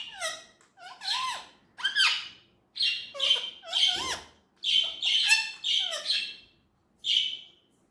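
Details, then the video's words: Indian ringneck parrot mimicking speech: choppy, syllable-like chirps and sliding notes in quick bursts, with pauses between, plus a low soft thump midway. "Natural talking parrot voice"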